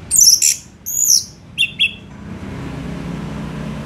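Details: Orange-headed thrush singing gacor, kept as a tutor song for other songbirds: a few very high, scratchy slurred phrases followed by two short lower chirps, then only low background hiss.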